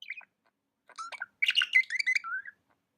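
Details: Pet budgerigar chirping: a short chirp, a pause, then a dense, excited run of twittering and warbled notes ending in a short whistled slur.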